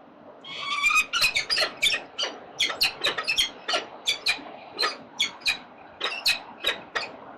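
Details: Peregrine falcons at a nest site in Melbourne's central business district, Australia, recorded 4 October 2020 at 9:29 in the morning; a rapid series of harsh, grating, broadband squawks, about eighteen notes in seven seconds at an uneven rhythm.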